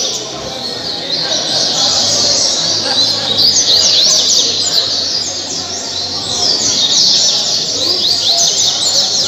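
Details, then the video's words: Caged Caribbean seedeater from Mambucaba park, Angra dos Reis, Brazil, recorded around 2019–2020, singing a long run of rapid, high, sweeping twittered notes, densely repeated, over a steady background hiss and low hum. "Coleiro caribe 226 cantos o melhor coleiro de angra"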